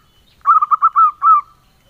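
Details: Single mellow phrase from a local male zebra dove in engkel style: quick stuttered low coos followed by a longer held note, clean and without background sound.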